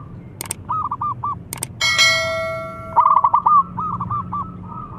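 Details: Local zebra dove's loud call: soft stuttering coo phrases broken by sharp knocks and a ringing bell-like chime, followed by a strong, fast rolling coo burst and quieter echoing coos.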